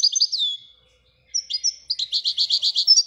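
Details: Widania-style song of a Moroccan European goldfinch: high twittering notes and a falling slur, a brief silence, then a quick run of evenly repeated liquid chirps.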